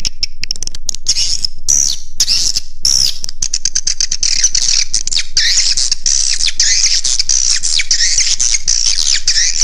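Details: Swiftlet call used to draw birds to roost: scattered sharp chirps and a few clear rising-falling whistles at first, then building into a dense, continuous high twittering chorus over a faint low hum.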